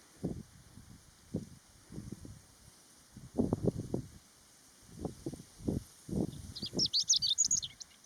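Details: Chestnut-eared bunting on the Utsukushigahara highland plateau, Nagano, Japan, in early summer, 15 June 2020, under strong sun and a cool wind. Low rumbling wind gusts dominate. Near the end comes one short, high, jumbled phrase of rapid chirpy notes.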